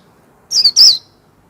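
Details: Two sweet, high whistles from a warbling white-eye in líu song, the second longer and wavering as it falls in pitch, surrounded by silence.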